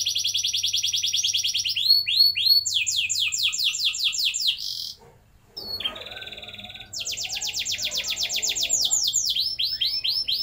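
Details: Young canary song played as a lure to prompt long rolling: fast, strongly repeated trill phrases switching between pitches, with a brief gap near the middle before the rapid rolls return.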